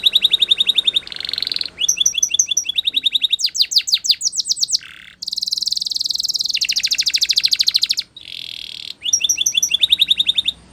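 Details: Champion Spanish Timbrado canary singing for training, with rattling metallic trills repeated in series, a few fast sweeping notes, and a long dense high roll before the rattling phrases return.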